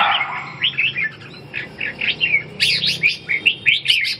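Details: Red-whiskered bulbuls in a ché singing duel meant to revive a bird that has lost its drive: scattered slurred whistles at first, then a fast, louder cascade of chattering warbles in the second half.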